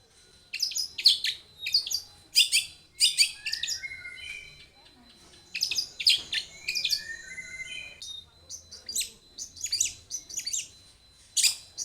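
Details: Long-tailed shrike delivers a varied lure song: clusters of harsh high chatter, mixed with clear, level whistled notes and short buzzy phrases, broken by brief pauses.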